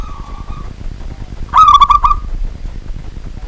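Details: Local wild zebra dove calling at night, a call locals believe signals unseen spirits: a short level coo, then a rolling trilled purr that lasts under a second, over a low background rumble.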